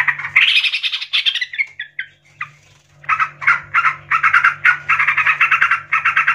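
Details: Agitated yellow-vented bulbul seeking a rival gives bubbly, gurgling phrases, then a run of fast, harsh chattering bursts about twice a second, over a steady low hum.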